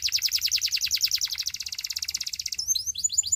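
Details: Belgian singing canary pouring out a fast rhythmic trill of high, evenly repeated notes for over two seconds, switching into a looser run of sharp descending chirps.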